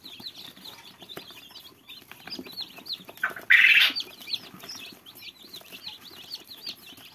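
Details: Several little fluffy chicken chicks peep steadily with rapid, high, thin chirps, several per second, and a brief loud rustle partway through.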